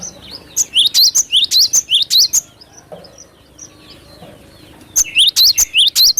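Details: Cinereous tit giving loud, energetic lure song: two long bursts of quick, high, sweeping whistles, each note sharply rising and falling, separated by a quieter pause with soft background bird calls.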